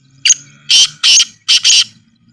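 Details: Black francolin call from a village environment: five harsh, buzzy, grating notes in a quick rhythmic phrase over a low background hum.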